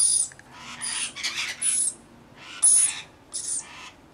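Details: Bathing and feeding rainbow lorikeets give long, raspy, overlapping screeches that blend into a noisy chatter. Sharp shrill notes recur. A brief lull is followed by two more loud squawks.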